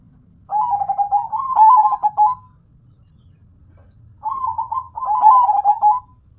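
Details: Local zebra dove (perkutut) in full song: two long cooing phrases of rapid staccato notes rolling into a held trill, a pause of nearly two seconds between them, faint low background rumble.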